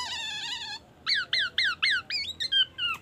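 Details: A Black-naped oriole mimicking an ambulance siren and white-rumped shama song opens with a steady, siren-like whistle, then gives a quick run of clear, falling whistles, about four per second, in a small room.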